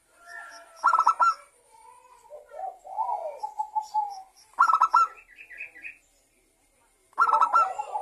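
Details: Local Indonesian zebra dove, actively singing, used as a lure so other doves sing: three bursts of fast, stuttering coos spaced a few seconds apart, with twittering and warbled notes of other birds between them.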